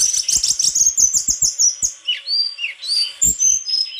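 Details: White-throated flycatcher pouring out a fast, dense chatter of high chirps, followed by clear descending whistled notes and a few sharp slurred calls.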